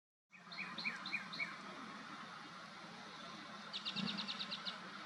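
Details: A Canada warbler in Texas sings a few slurred, sweet notes, then a quick burst of bright chattering notes, over a steady low rumble of distant traffic.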